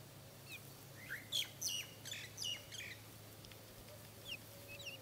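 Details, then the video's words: One-month-old Buff Orpington chicks giving a run of high, thin, sharply falling peeps in quick irregular bursts over a steady low hum. "Buff orpington chicks, one month old"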